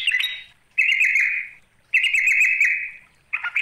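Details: Trucuk, the sooty-headed bulbul, giving a rival-challenging call: two long grating buzzes of about a second each, spaced a second apart, laced with rapid high clicking pulses, and a brief harsh note at the end.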